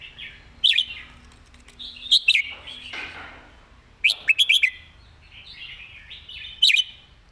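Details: Caged red-whiskered bulbul delivering its master song for tutoring birds: short loud whistled phrases of one to five quick notes, spaced by soft, scratchy warbling.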